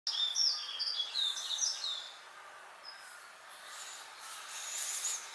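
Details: Yellow-throated bunting singing late in the breeding season, a song described as mournful; a quick burst of high, twittering, jumbled notes in the first two seconds, then faint background hiss.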